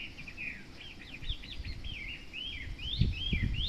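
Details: Hwamei singing from a garden hedge in front of a house, where it sings every morning but rarely shows itself: a rapid run of varied, clear, slurred whistles rising and falling, with low rustling and thumps below.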